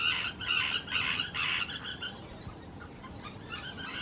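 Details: Common terns courting on nesting islands beside a visitor trail hide at Hula Nature Reserve, Israel, spring 2018; a fast series of loud, harsh, repeated calls for two seconds, then fainter chatter.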